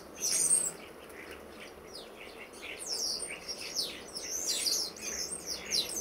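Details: Flock of common starlings visiting a garden in October, over 60 birds, squabbling; a busy jumble of high whistles, creaky squeaks and short chattering notes from several birds, fairly continuous, with background noise.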